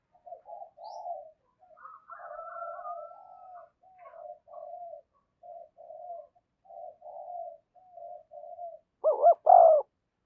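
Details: Decoy spotted dove calling to lure wild doves: a long run of soft, low, mellow coos in uneven phrases, closing with two loud, throaty, hooked coo notes.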